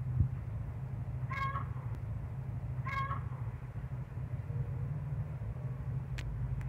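Great kiskadee giving two harsh, nasal, slightly falling calls about one and a half seconds apart over a steady low traffic-like rumble.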